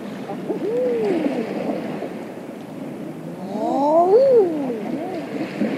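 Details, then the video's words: Late spring evening offshore, eiders on the water give two drawn-out, bowed, crooning calls a few seconds apart, with fainter answering voices and a continuous wash of waves. "Evening Eiders Calling On Water With Wingflaps And Waves"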